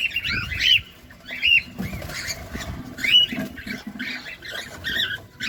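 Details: Cockatiel, a caged companion parrot, feeding at close range; scattered short squawks and chattering notes, irregular, with some rustling and scratching sounds underneath.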